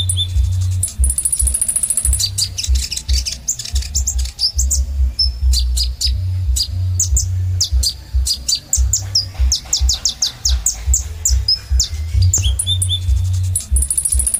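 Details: Kolibri ninja sunbird in gacor song: a long high whistle opens a dense burst of rapid, very high chips and trills, then a short pause and another thin whistle, with low droning hum throughout.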